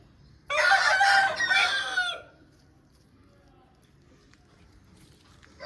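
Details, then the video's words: A single hoarse, drawn-out crow from an Aseel rooster, rising then breaking into a falling second part over nearly two seconds, followed by quiet. "Aseel Bird Sound Effect"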